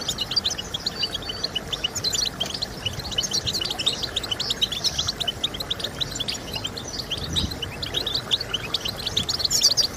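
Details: European goldfinch song meant to stimulate singing: steady fast twittering and buzzy chirps throughout, ending in a louder bright flourish, over low background noise.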